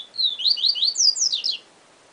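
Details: Yellow-bellied seedeater (Sporophila nigricollis) gives a quick, high phrase of about eight sweet, slurred notes that rise and fall in under two seconds. The background is quiet.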